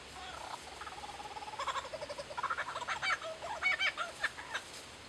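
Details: Lyrebirds mimicking kookaburras and laser guns: a run of rapid, cackling notes building into loud, clustered bursts, some with sharp electronic-like zaps.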